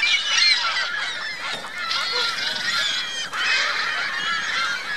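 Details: At Virginia Lake in Reno, geese and goslings call together in a continuous jumble of bright, high chattering notes and lower honks, many voices overlapping with no pauses.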